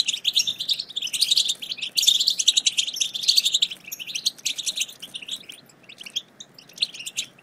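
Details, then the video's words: European goldfinch chatter to spur silent goldfinches into song, loud dense twittering and buzzy trills in the first half, thinning to scattered high chips. "بتبتة وستستة رهيبة في تحفيز الحسون على التغريد - فعالة مع الحسون الصامت"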